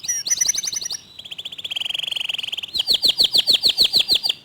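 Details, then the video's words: Local canary with a clear, tight 'tembakan' delivery: a quick high trill, a lower steady rattling trill, then a run of loud, sharply falling notes about four per second. "Kicau Kenari Lokal Tembakan speed rapat Suara Jernih"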